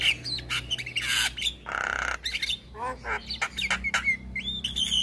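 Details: Black-winged starling singing to encourage silent starlings: loud squawks and grating notes mixed with rising and falling whistles and a couple of rough hissing bursts.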